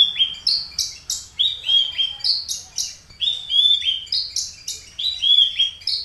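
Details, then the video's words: A caged aliena Horsfield's bush lark from Papua, three years in captivity and filled with finch song, pours out a fast series of high sharp notes paired with falling whistled slurs, repeating the pattern evenly for several seconds. "branjangan aliena gacor / mirafra javanica aliena / branjagan papua"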